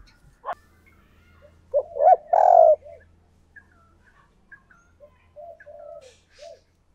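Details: Decoy spotted dove calling to lure wild doves: a sharp note, then a short run of loud hollow coos peaking in one long coo, followed by scattered soft murmured coo notes over a faint low hum.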